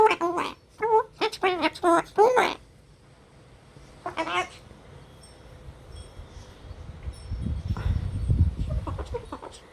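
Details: Rescued, hand-raised male long-billed corella swearing at the household cat: a rapid run of hoarse, word-like phrases, then one short utterance. Low rumbling handling noise and faint tinkling follow.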